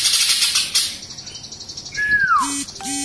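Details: Young caged greater green leafbird from Samarinda, just past its spotted juvenile plumage and about to moult: a clear whistle slides down over about half a second. Short tonal notes follow. Dry rattling chatter opens the recording.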